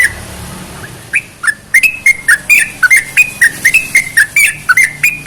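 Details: Sooty-headed bulbul song used to get other bulbuls singing: after a quiet second, a steady stream of clear whistled notes, each a short slide, about three or four per second over soft background noise.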